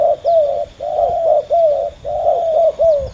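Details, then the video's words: Male spotted doves in a fierce two-bird contest. Loud, close, rolling coos run almost without pause, each slightly falling at the end. "ต่อดินนกเขาใหญ่ ดุเดือดคู่นี้!!"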